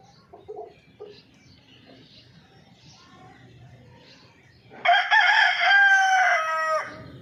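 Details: Golden Misri chicken giving a loud, harmonic crowing call of about two seconds, a strained, wavering note that holds steady and then drops away at the end, after several seconds of quiet with faint clucks and low background rumble.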